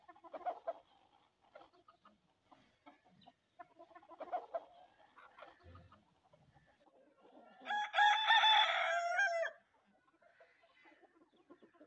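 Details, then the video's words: Hens eating sesame give soft low clucks scattered through the clip, with a louder harsh squawking burst near the end and faint pecking sounds. "HENS EATING FOOD | HENS EATING SESAME | HEN SOUND | MURGIYAN | مرغیاں"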